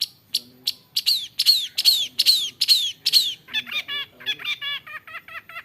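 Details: Long-tailed shrike, a skilled imitator of other birds, first repeating a sharp downslurred whistle several times, then switching to a quicker series of bubbly warbled notes.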